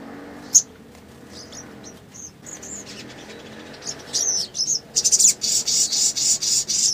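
A small songbird gives thin, high chirps and squeaks, then a fast, shrill, buzzy run of notes. A faint low hum sits underneath.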